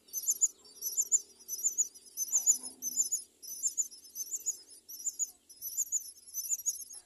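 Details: Myna at its nest, raising four young, with thin, very high chirps in quick, uneven bursts about every second and a brief low rustle midway.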